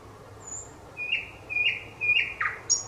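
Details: Thrush nightingale singing on 25 May 2021: a high thin whistle, then a series of loud clipped notes repeated in quick succession, ending in a sharp high flourish.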